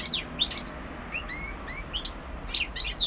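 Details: European goldfinch singing: a quiet, twittering mix of brief high chirps and short rising slurred notes over faint background hiss.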